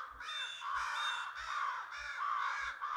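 American crows give harsh, hoarse caws in a steady run, about two per second, overlapping into a noisy chorus of several birds.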